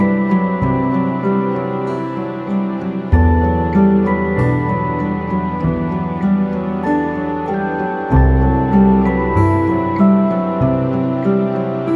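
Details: Soft, sustained instrumental music with slow chord changes and a steady low bass; no animal voices can be picked out.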